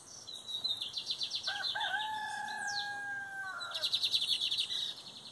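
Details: Lined seedeater song, metálico versus torneiro style, 2023 season: fast buzzing pulse trills at the start and again near the end, separated by two long, level whistled tones.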